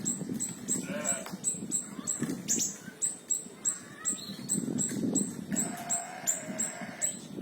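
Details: High, thin repeated chips from small minivet (siri-siri kecil), a tembakan recording for training murai batu, cucak ijo, kacer and cendet, evenly spaced, with a brief higher trill and a lower drawn-out note late on.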